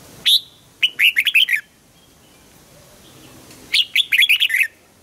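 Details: Red-whiskered bulbul in morning song training, pushed toward the double-note 'âm kép già rừng' style; a lone clear note, then two lively bursts of five or six quick warbled whistles about three seconds apart.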